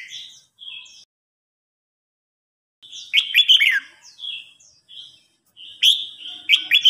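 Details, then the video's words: Red-whiskered bulbul song duel, an older wild bird challenging an agitated young bird: bright, warbled phrases in bursts, each a quick run of liquid notes that rise and fall, with short pauses between. "Chào mào hót đấu"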